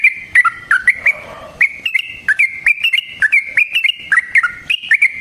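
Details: Yellow-vented bulbul in a rolling fighting song used as a lure: loud, bubbly notes that dip and rise, delivered in a fast, uneven stream with one short soft gap.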